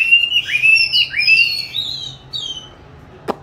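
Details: Oriental magpie-robin raised in captivity since 29 July 2020, training its song on 22 March 2021. Clear sliding whistles fill the first two seconds and fade out, followed by a single sharp click.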